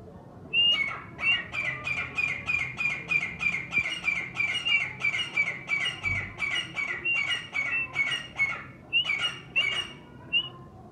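A grey francolin calls in a fast run of loud, shrill, ringing notes, about twenty in ten seconds, with a low hum beneath.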